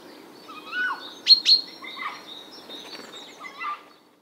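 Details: A Eurasian jay in the morning gives a lesser-known call, possibly imitating an unidentified sound: a short rising whistle, two sharp clicking notes, then soft warbled, mewing phrases, over a faint low background hum.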